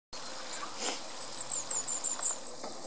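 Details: A juvenile European robin in Munich's Botanical Garden gives a quick run of very high, thin, short notes, roughly four a second, over soft background hiss.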